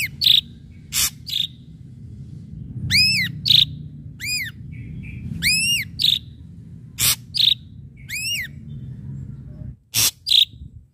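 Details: Ashy drongo singing hard in a pancingan recording of sharp strikes: widely spaced arched, ringing whistles alternate with harsh, explosive rasping bursts and short high chips, with gaps of quiet between phrases.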